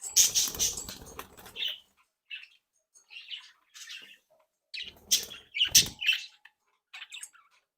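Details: Captive budgerigars from a breeding flock, happy and playful, with a loud opening burst of mixed chatter, then scattered short chirps and squeaks, and another noisy burst near the end.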